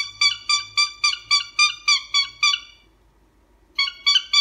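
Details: Captive cockatiel giving a long run of about ten nasal, horn-like honks in quick steady rhythm, then a second of quiet before three more honks start up.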